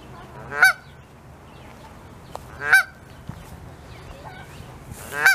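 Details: In Saskatoon, Saskatchewan, on May 16, 2021, a wild Canada goose family has goslings tucking under the mother's wing. Three loud, brassy honks are spaced about two seconds apart, with faint soft calls in the gaps.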